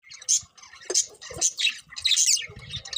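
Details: Birds chirping in the morning: sharp, high chirps and short squawky notes in bursts about half a second apart, with soft low thumps and patter underneath.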